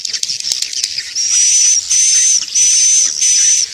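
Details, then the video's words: Swiftlet attraction sound for swiftlet farming: after a brief scratchy start, long hissing buzzy bursts topped by a thin sustained whistle, pulsing in regular blocks about every 0.7 seconds. "SUARA TARIK MANSYAH WALET"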